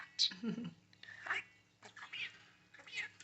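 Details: A pet parakeet, very excited, moving, jumping and flapping its tail, chatters in quick, squeaky bursts of mimicked speech, four short phrases in about three seconds, high and whispery.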